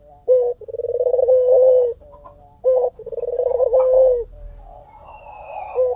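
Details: White dove cooing in full voice as a lure sound. Two phrases, each a clipped introductory note followed by a throbbing, pulsed coo that draws out into a sustained low tone. Softer cooing trails at the end.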